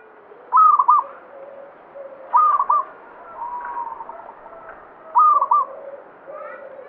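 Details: Local zebra dove singing actively in banyumili style: three loud cooing phrases, each a quick run of short warbled notes, come about every two and a half seconds, with softer lower coos from other doves between them.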